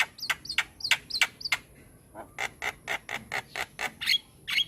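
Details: White-eyed Javan myna (jalak kebo mata putih) singing vigorously in a masteran tutor recording: rapid series of harsh, rasping squawks, about a dozen in under five seconds, some with brief squeaky overtones, over a faint steady high hiss.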